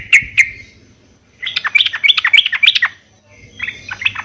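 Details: Yellow-vented bulbul in a cage, song meant to prompt answering birds; two clipped opening notes, a pause, then a tumbling burst of rapid gurgling notes and a softer final phrase.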